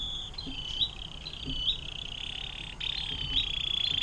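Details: Canary delivering the 'air mancuran' fountain-water song, a tutor recording for other songbirds: a high, continuous rolling trill held for seconds, briefly broken, then resumed and growing louder.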